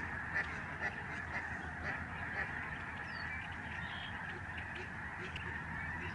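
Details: Snow geese flock passing overhead at the George C. Reifel Migratory Bird Sanctuary, November 2011; a massed honking chorus with a few louder individual calls early on, over low rumbling noise.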